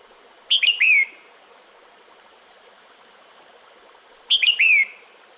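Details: A female red-whiskered bulbul calls to a male in the breeding season. Two quick phrases of clear, looping whistles, each three notes long, come about four seconds apart against faint steady noise.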